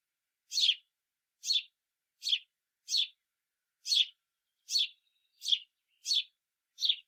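A House Sparrow gives nine harsh, chirpy notes, roughly one every three-quarters of a second, each a quick downward-sliding cheep.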